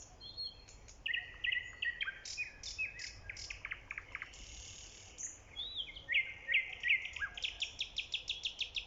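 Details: Early-spring nightingale singing: a varied sequence of whistled notes, sharp chips and a sustained buzzy note, ending in a loud run of rapidly repeated high notes, with low background noise.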